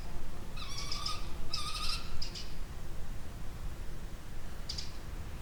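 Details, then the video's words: Falcon or kestrel in a Welsh slate quarry, captured by a lowered Zoom F3 drop rig with clip-on microphones: a few piercing, harmonic call notes in quick succession, then a single later note, over constant low rumbling wind. "Sound of Falcon / Kestrel calls in a quarry in Wales"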